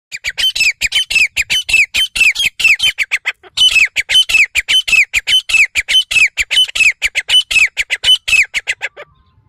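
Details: Grey francolin (desi teetar) in full voice in jungle, giving loud, harsh, high squawking notes, about five a second, running almost without pause for nine seconds with one brief break.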